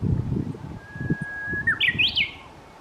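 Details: A Japanese bush warbler sings a drawn-out flat whistle that breaks into a short, lively run of up-and-down notes; soft low rustling and thumps underneath.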